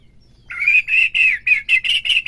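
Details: Captive-provoking recording of a white-rumped shama: after a near-silent start, a series of about eight loud, buzzy, rich notes repeated in rapid, even rhythm.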